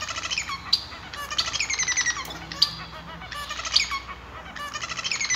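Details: A male Society (Bengalese) finch sings a rapid, continuous jumble of high chirps, buzzy notes and sharp clicks, with brief louder peaks every second or so.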